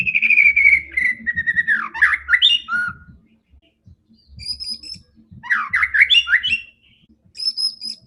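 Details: Fighting white-rumped shama singing to provoke other shamas: a long falling whistle, bursts of rapid rolling notes, high thin whistled phrases between pauses, with a low background hum.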